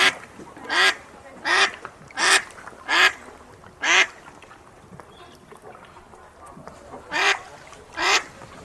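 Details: Duck near an aviary in the early morning quacks in a loose series of about seven harsh, nasal calls, roughly one every three-quarters of a second, with a short pause midway.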